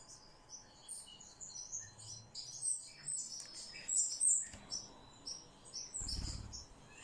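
Spotted flycatcher giving thin, high, sharp chirps at an irregular pace, with a few low thumps and rustles in the background.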